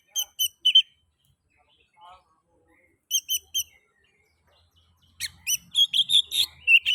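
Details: Oriental magpie-robin singing to stimulate other magpie-robins: groups of three or four crisp repeated chirps, a pause, then a dense rapid run of whistles and rasps with a faint low hum.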